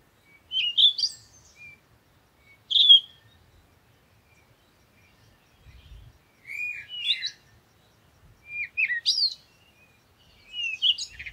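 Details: A parakeet gives single squeaky chirps and short twittered phrases spaced a couple of seconds apart in otherwise near silence.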